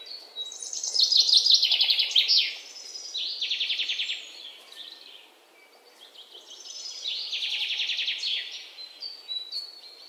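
Sparrow chirping in busy bursts, rapid high trills and chirps between about two and six kilohertz, rising and falling in two long rounds.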